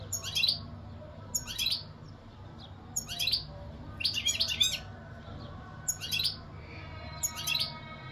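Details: European goldfinch song: six short, bright, high twittering phrases at roughly one-second intervals, with a faint low hum in the background.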